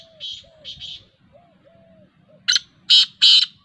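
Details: Kala teetar (black francolin), a speeder bird, recorded on 19 August 2021: soft high notes and a low tonal whistle from another source, then three loud rasping grating notes in quick succession near the end.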